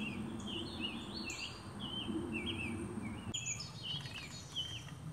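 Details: In Alabama, a summer tanager sings connected, robin-like caroled phrases, slurred up and down without pause, while a thin high bird call and low background hum run underneath.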